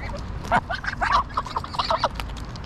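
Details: Dense, overlapping honks and gabbling calls from greylag geese, recorded 22 August 2021 in Pearson Park, Hull, England, on a GoPro Hero9, with calls continuing almost without pause.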